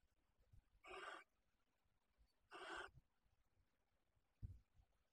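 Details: At a nest-box webcam in the Ebro Delta reserve of Riet Vell, Tarragona, a breeding common kestrel pair brings in apparent field-mouse prey; two drawn-out hoarse, wheezy screeches about two seconds apart, then a soft knock.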